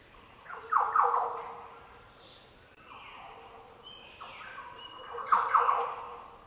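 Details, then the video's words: Liquid, fluty song of Green Orioles in Australia's Daintree rainforest: two rich warbled phrases of rolling low notes about four seconds apart, with a faint distant whistle between and steady shrill insect noise throughout. "Green Oriole Sounds - The deep, liquid calls & song of Green Orioles in the Daintree rainforest."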